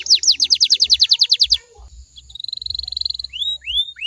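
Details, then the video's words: Canary song meant to trigger other canaries to sing back: a fast trill of falling notes, a quieter buzzy rolling tour, then a few rising slurred whistles, over soft low thumps. "DI JAMIN KENARIMU BAKAL IKUT NYAUT KALO DENGERIN SUARA INI"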